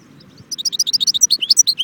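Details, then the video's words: Song of a European goldfinch at Jbel Wahch near Constantine: a brief quiet start, then a rapid, tinkling stream of sharp, high twittered notes, slightly varied in pitch, delivered several per second. "chardon chant"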